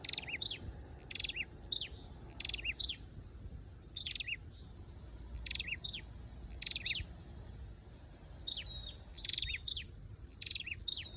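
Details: Repeated bursts of sharp, high flowerpecker chips and short descending twitters, used as lure sound, steady through the clip with a faint constant hiss.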